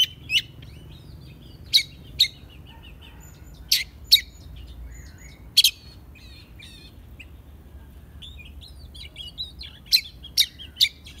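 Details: Oriental magpie-robin, a young bird being tamed, giving sharp, loud notes spaced a second or more apart, with faint twittering between them.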